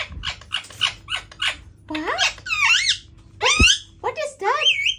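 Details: Indian ringneck parakeet indoors attempting speech: quick clipped syllables followed by sweeping, rising and looping warbled phrases with rich harmonics, plus one low thump.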